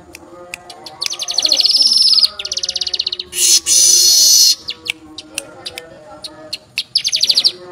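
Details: Weaver song for training songbirds: loud buzzy rattling trills high in pitch, a harsh broadband burst, and scattered sharp ticks, over a steady low background hum.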